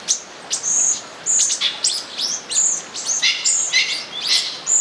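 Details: Olive-green tanagers near São Bento do Sul, mating, produce busy strings of thin, shrill notes and short slurs, overlapping and nearly continuous, with small rising and falling squeaks.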